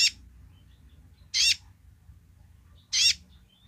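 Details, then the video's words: Sunbird, called kolibri ninja, singing actively in its basic song: short, harsh, buzzy high bursts, each about a fifth of a second, spaced roughly 1.5 seconds apart, over a faint low hum. "kolibri ninja gacor//suara dasar nya !"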